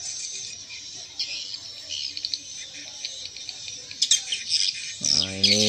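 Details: Swiftlet roosting lure sound of the Antariksa style, made for swiftlet farmers by combining several source sounds: dense, rapid high chirps and twitters repeating about twice a second, with a brief burst of a man's speech at the very end.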